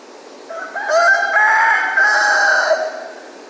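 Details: Dawn crow of a rooster in Ipanema, loud and close: a stuttering start breaking into a long sustained crow lasting about two seconds, with faint background hiss.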